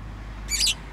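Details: Pet bird letting out one high, scratchy chirp over a steady low electrical hum, with the start of another at the very end.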